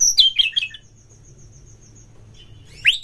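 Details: Oriental magpie-robin (kacer) in a lure recording meant to stir fighting spirit: a quick burst of sweet, slurred whistles and chirps under a second long, a faint high thin whistle, then a short rising note after silence.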